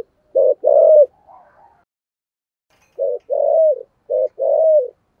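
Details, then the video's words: Spotted dove in 'thổ sấm' voice, 'thúc gù' style: deep coo phrases of a brief note and a longer coo bending down at its close, repeated three times with a soft mutter after the first. "cu gáy giọng thổ sấm thúc gù quá hay"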